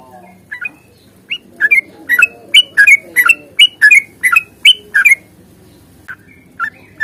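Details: Sooty-headed bulbul fighting song, a lure to set other bulbuls singing: after a quiet start, a tight burst of bright, bouncing whistled notes for about four seconds, then a few scattered notes.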